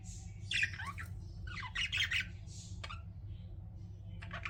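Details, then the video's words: Pet budgies chirp in short scratchy warbles and squeaks, with sharp clicks between phrases and a low steady hum beneath. "CUTE PET BUDGIES CHIRPING"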